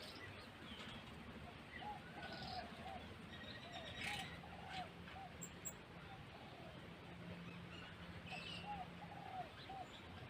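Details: Zebra dove singing while brooding two chicks at the nest: soft, rippling series of short cooing notes in evenly spaced bursts over a steady low hum, with faint higher chirps in the background.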